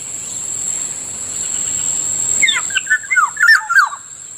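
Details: Black-naped oriole (Kilyawan, Kikiyaw in Bicol) calling in the morning near a rice field: a short burst of slurred, fluty whistled notes dropping and rising, over a steady high-pitched whine and soft background hiss.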